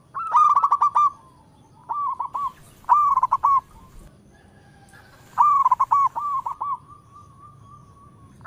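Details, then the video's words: Zebra dove of a local type singing and calling in all directions, a sweet-voiced singer: short phrases of quick rolling coos about once a second, with a long drawn-out coo trailing the last phrase. "Perkutut Lokal gacor suara merdu memanggil Keseluruh Arah"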